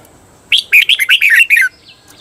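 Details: Single phrase of red-whiskered bulbul song, a Thai training recording for cage birds in the doubled 'bearn' style: a rapid run of about eight bubbly, slurred whistles lasting just over a second.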